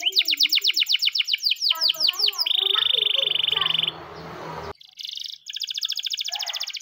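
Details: Canary singing a training song in the morning: a fast series of descending whistled notes, then a sustained buzzy trill over some background noise, a brief break, and a high rapid rattle.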